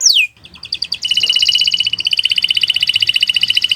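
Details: Training song of a canary: it opens with one sharp downward-swooping whistle, pauses, then launches into a dense, steady high trill of rapidly repeated notes that runs to the end.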